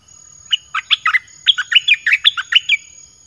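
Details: Lure song of a red-whiskered bulbul for calling in wild birds, a lively string of about a dozen cheerful warbled notes in two rapid bursts, pitch jumping up and down, with a faint steady high whine.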